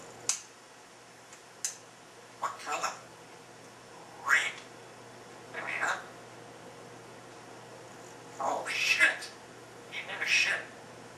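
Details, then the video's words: Pet African grey parrot, a female, holding a conversation with herself in her cage: a string of clipped syllables and short babbled phrases at uneven intervals, some sharp clicks, with a faint background hum indoors. "African Grey Parrot Talking and having conversation while in her cage"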